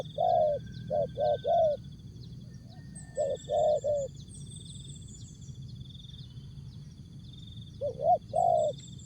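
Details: Spotted dove singing a short jergot phrase, with tapau and bungkus endings named. Bursts of throaty coos cluster in threes, then pause, then resume, against constant high-pitched insect trilling.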